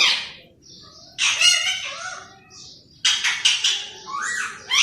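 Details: Green parrot at home talking like humans: a short scratchy note, then two loud, rough, speech-like phrases, the second ending in a sliding whistle-like sound.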